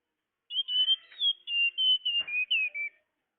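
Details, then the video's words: Tledekan lure call: about two and a half seconds of continuous clear high whistling, notes held briefly and stepping up and down, with one faint low click near the end. "Suara pikat burung tledekan"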